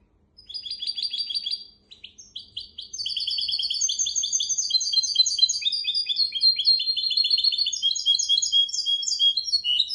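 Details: Goldfinch x canary hybrid singing to teach goldfinches and canaries: an opening rolling trill, a short pause, then a long, lively run of high chirps, twitters and rapid trills at changing pitches.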